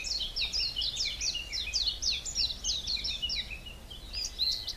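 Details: Forest birds in Belgium's Hallerbos, a mixed deciduous woodland south of Brussels, give a fast steady series of high slurred chirps, about four per second, over a soft background hiss.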